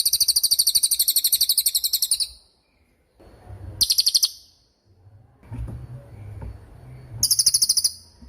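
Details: Songbird training recording of cililin song: bursts of very high, rapid buzzy trills lasting up to two seconds, separated by quiet gaps with faint low background rumble.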